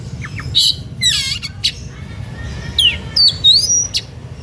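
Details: {'text': 'Energetic Oriental magpie-robin song said to provoke other magpie-robins into singing: short chirps, a loud rasping burst, then clear descending whistles and sweeping high slurs toward the end, over a steady low background hum.'}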